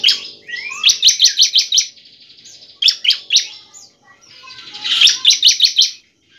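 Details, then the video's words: Bar-winged prinia, a semi-fluent singer used as a lure to get other prinias singing, gives bursts of sharp, high chips in quick series of five or six, mixed with thin rising whistles and a buzzy trill between bursts. "ciblek semi gacor"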